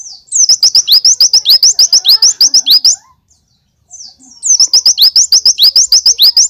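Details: Two long volleys of fast, loud, high-pitched chirping from an Oriental white-eye in the tembakan glatik full style, each lasting over two seconds, with a brief silent pause between them.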